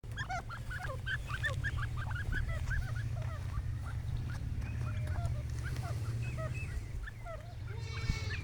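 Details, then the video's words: Pair of partridges calling: a busy run of short, upward-flicking chirps tumbling over one another for several seconds, then sparser notes, all above a steady low rumble. "Dakne teetar jora"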